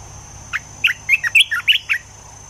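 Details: A caged Olive-winged bulbul used as a decoy sings one lively phrase of roughly eight gurgling, whistled notes that rise and dip over a second and a half, with a thin steady hum in the background.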